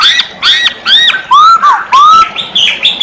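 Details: Masked laughingthrush calling loudly: a fast string of sharp, harmonic notes and clear upslurred whistles, repeated in quick succession at a brisk, uneven rhythm.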